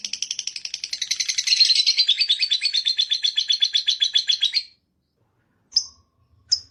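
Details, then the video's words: Lovebird delivering a rapid ngekek chatter of high, scratchy notes that speeds up and intensifies, then stops abruptly, followed by two isolated sharp chirps after a pause. "Ngekek makin gacor love bird"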